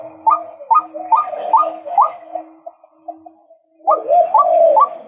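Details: Male white-breasted waterhen calling in a string of rising, hooked notes that softens and trails off into quieter, short notes, then after a near-silent gap a new loud burst of calls begins.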